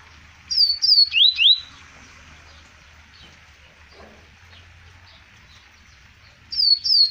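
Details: Double-collared seedeater recorded in Arapiraca, Alagoas, in 2020, giving a short phrase of high, sharp, swooping whistles, then a pause with faint background hum, before the phrase starts again.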